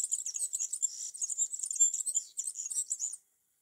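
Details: European serin in a tree during summer, delivering an unbroken, very high-pitched, wheezy jingling song of quick tinkling notes for about three seconds before stopping abruptly.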